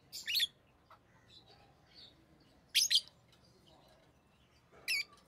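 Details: Orange-faced green and red-headed green rosy-faced lovebirds, kept as pets, let out three separate bursts of shrill, squeaky chirps a couple of seconds apart, with faint softer notes in between.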